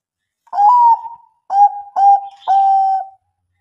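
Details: Zebra dove, Bangkok type, used as a lure for reluctant singers: four mellow, whistled coos with a long falling first note, two short notes and a held final note, with clean silence around them.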